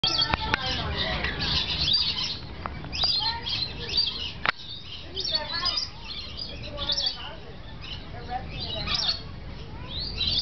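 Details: Lorikeets paired up in an aviary during apparent mating season give a busy stream of shrill, grating screeches and chattering squawks, several birds calling over one another almost without pause, with a faint voice underneath.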